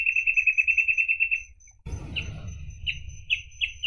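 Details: Reed parrotbill, a rare species close to extinction, giving a fast, even series of high clipped notes that stops abruptly. A short burst of low rumbling noise follows, then scattered single high notes, some paired.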